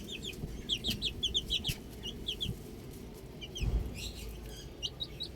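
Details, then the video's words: Baby chicks outdoors, busy high-pitched peeping in fast runs early on, then scattered chirps, with a couple of low knocks and faint hum beneath. "Cute Baby Chicks Chirping Sounds"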